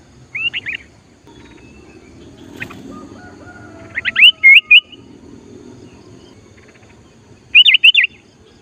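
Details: Sooty-headed bulbul singing to lure wild bulbuls during trapping practice. Three separated phrases of quick liquid whistled notes, each looping up and down, with pauses of several seconds and a soft low rumble between.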